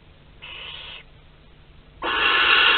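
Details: Barn owl in a nest box webcam at Théding, France, 27 April 2021, with prey moving inside the box; two harsh broadband hissing screeches, a short one then a louder sustained one.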